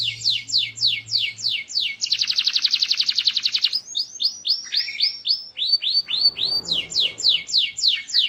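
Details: Canary song used to make other canaries sing: repeated downward-swept whistles, a dense fast rattle, then varied slurred notes and more sweeping phrases, with a faint low hum early on.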